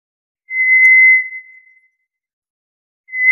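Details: A single long, level, pure whistle from a White's thrush. It holds one pitch, trails off, and leaves a gap before another whistle starts at the end. The background is silent.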